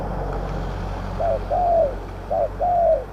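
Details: Spotted dove cooing from a decoy trap pen set for wild doves with medium-pitched voices, Thailand; two paired phrases, each a short note followed by a drawn-out, gently falling coo, over steady low-pitched background noise.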